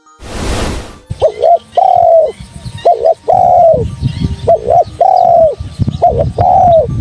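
A Spotted Dove gives four mellow two-part coos, each a short note then a longer falling one, about every one and a half seconds, after a brief rush of noise.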